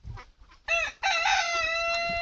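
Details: A rooster gives a loud, strained crow, a short opening note followed by a long, steady drawn-out cry, with faint soft sounds just before it.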